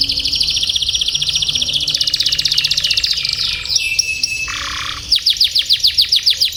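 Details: Canary tutor song meant to teach young canaries and silent birds long rolling song: an extended rapid roll, steady high tones, a lower whistled note, then a fast run of downward chirps.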